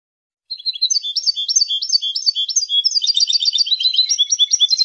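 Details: European goldfinch delivering its territorial and courtship song: a long, unbroken stream of quick, high, tinkling twitters. Repeated zigzag phrases give way to denser, buzzier trills toward the end. No other sounds.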